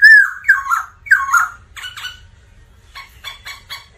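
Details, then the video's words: Black laughingthrush in vigorous song: loud whistled phrases with rough edges, then a pause and a burst of harsher chattering notes. "Chim khướu Mun hót múa kích bổi cực căng"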